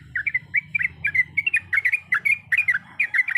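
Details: Sooty-headed bulbul, a female calling a male, sings a lively string of short, bubbly, slurred note groups, roughly two or three per second, over a soft low background hum.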